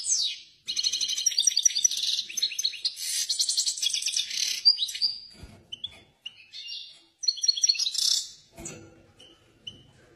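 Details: Agitated European goldfinch singing a long, high, jangling twitter with dense buzzy trills, then shorter chirpy phrases and clipped notes separated by brief pauses.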